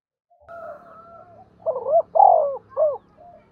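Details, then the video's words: Spotted dove call recorded on new year's first day: a soft drawn note, then a low coo phrase of short rising notes, a long falling coo and a closing note, with a faint high tone behind. "tiếng chim cu gáy gọi ngày mông một"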